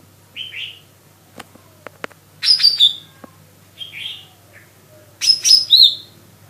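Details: Lesser green leafbird (Chloropsis cyanopogon) singing: short bursts of bright chirps and slurred high whistles every second or two, with a few sharp clicks and a faint low hum.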